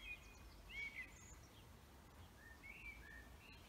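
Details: Birds singing in a forest: several high whistled notes and short warbled phrases spread through the clip, some clear and some distant, with a soft low rumble underneath.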